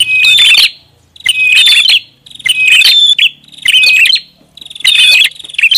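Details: Prinia lure sound: regular bursts of harsh chirping and twittering, about one per second, each followed by silence, with a faint low hum underneath.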